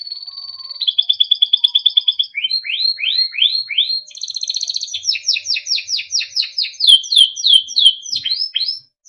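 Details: Timbrado canary with a melodic training song: a steady whistled tone, a rolling trill, a series of repeated falling sweeps, then faster sharp downslurred notes about three per second.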